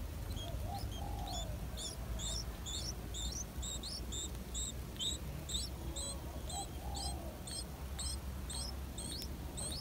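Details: Yellow-vented bulbul chicks, seven days old, in the nest as the mother feeds them insects: thin, high chirps repeated steadily about twice a second throughout, with softer lower whistled notes and a low background hum.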